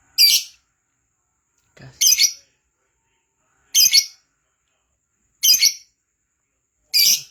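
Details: Lovebird giving short harsh high screeching bursts, five separate squawks spaced roughly every one and a half seconds with silence between.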